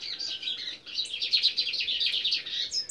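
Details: Several captive Lined Seedeaters sing together in a dense, high, rapid twittering of buzzy chips and trills that runs without a break.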